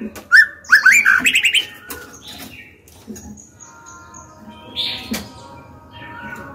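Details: Female white-rumped shama singing to spur males and young birds to sing: an opening sharp note, then a rapid tumbling burst of varied whistled and chirpy notes, fading into quieter distant calls and low hum.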